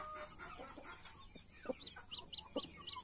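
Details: Blue mother hen with australorp and Brahma chicks; short hen clucks mixed with high, rising chick peeps repeated several times over a constant hiss.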